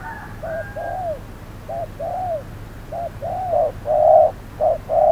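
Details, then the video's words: Spotted dove decoy in a trap setup on a hot midday, a clever wild dove nearby; repeated paired coos, short note then longer downward-curving coo, growing louder toward the end. "Bẫy cu gáy 10 // Mồi VR001 gặp phải con Bổi quá khôn"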